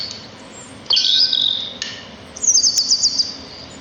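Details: A sparrow sings in a natural setting: a thin high phrase, a pause, then a quick run of about six evenly spaced chirps over a quiet, faintly humming background.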